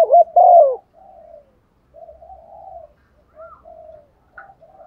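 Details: Female dove, used as a lure, cooing to attract a male: one loud, throaty double coo at the start, followed by a string of softer, drawn-out wavering coos with short gaps.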